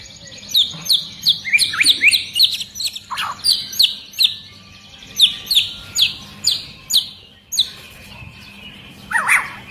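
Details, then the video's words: Rapid series of sharp, high chipping notes, roughly three per second, with occasional swooping lower notes, from an agitated long-tailed white-rumped shama singing in tight, high 'tembakan' style. "Murai Batu Ekor Panjang Ngamuk Dan Bikin Burung Murai Lain ikut Gacor !!!"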